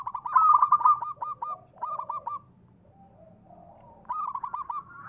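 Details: Zebra dove of local stock calling energetically, played to excite and lure other doves into replying. Stuttering phrases of ringing coo notes repeat in quick groups, separated by brief gaps and softer murmured notes.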